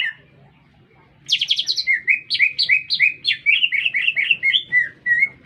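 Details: After a quiet start, a lesser green leafbird bursts into song in town, a harsh high trill followed by a rapid rhythmic series of whistled chirps, over a steady low hum.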